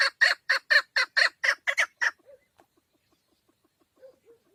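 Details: Short burst of about nine loud, rough chuck notes from a female Chukar partridge kept for hunting, stopping after two seconds, then quiet soft calls.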